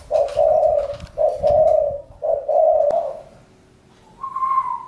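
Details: Spotted dove giving low, muffled two-part coos, three phrases about a second apart, then a brief higher tone at the end.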